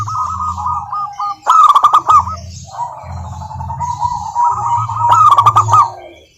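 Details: Local wild zebra dove song used as a lure to get quiet doves singing: repeated rolling, trilled coos in mid pitch, with a low droning hum underneath and short bursts of sharp clicking.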